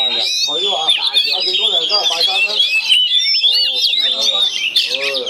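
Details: Caged Oriental magpie-robins aggressively sparring through connected cages, Chinese cage; an unbroken torrent of high warbled and whistled notes, with a crowd of men talking close by.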